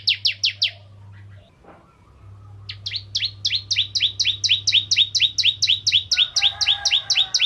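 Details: Bar-winged prinia, a crystal type in good singing form, used to draw other prinias into song: bursts of sharp, rapid chip notes repeated about twice a second around 4k, a short pause, then a long even series; steady low hum underneath.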